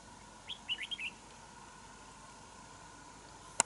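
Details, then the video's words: Wild red-whiskered bulbul approaching a decoy bird at a fighting trap; the bird later flew away. One brief burst of four or five quick, liquid warbled notes, then silence ending in a single sharp click. "Bẫy đấu chào mào bổi số 14"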